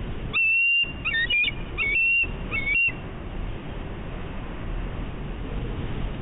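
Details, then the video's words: Bald eagle at a nest on Catalina Island, California, on high alert, recorded by a nest camera in March 2016; a burst of high, thin whistled piping notes with chattering trills over the first three seconds, then steady wind and hiss. "A branch delivery,something to eat and high alert."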